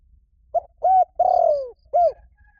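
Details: Male-attracting coo of a spotted dove used as a decoy call: a single low four-part phrase, a brief opening note, a level hoot, a drawn-out falling vibrating coo, and a last rounded hoot, clean background.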